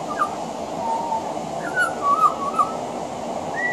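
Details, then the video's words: Soft, fluty whistles from a pied butcherbird singing on a veranda, with short wavering notes rising and dipping and a final higher whistle, all quiet against a constant hum. "Mimicry of the pied butcherbird"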